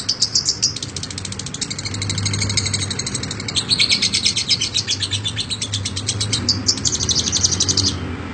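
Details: Lovebird chattering in long ngekek bursts, shrill rapid notes about four a second, briefly easing around two seconds before the high buzzing run resumes and stops near the end.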